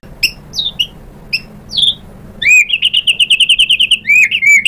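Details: White-rumped shama, played as a lure to make a rival bird answer: a few thin, high whistled notes with gaps between them, then a rapid, even series of bright chirps and a closing warbled phrase.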